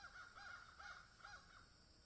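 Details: Three rough, arched caws from crows in a field, evenly spaced and close together, with low background noise.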